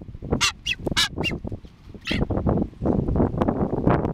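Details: A pair of masked boobies on Tern Island calls: a few thin, hissing whistles at the start, then a run of coarse, goose-like honks repeated several times a second.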